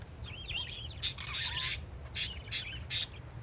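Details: On a windy day outdoors, parakeets twitter softly at first, then give five loud, harsh, high chirps spaced roughly half a second apart, over a low wind hum.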